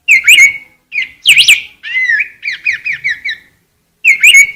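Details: Rose-breasted grosbeak with a warbled opening, a burry note, then a quick row of about six repeated short whistles, a pause, and a final warbled phrase.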